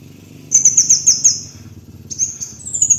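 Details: Van Hasselt's sunbird, a lure recording: after a half-second gap, a high thin run of quick descending notes, then a second rising-and-falling burst near the end. A steady low hum runs beneath.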